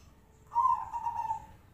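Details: Red turtle dove giving a local three-note kuk style cooing call: one loud, low cooing note that slides slightly downward, in a quiet setting.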